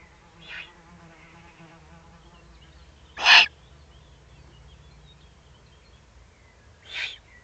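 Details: Below a Eurasian eagle-owl nest site in the Eifel, Germany, 31 May 2020: three broad hissing rasps spaced several seconds apart, the middle one loudest, over a quiet background with faint bird chirps.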